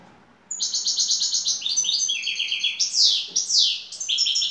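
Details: Champion European goldfinch from Turkey delivering şakşaklı song: long, quick-fire sequences of bright, buzzy chirps, broken by several loud, sweeping downward notes, with brisk twittering continuing to the end.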